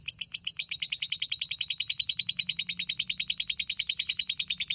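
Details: A lovebird's ngekek song, intended as a training model for other birds: dense, loud, rapid chatter of high shrill notes repeated evenly throughout, with some background rumble.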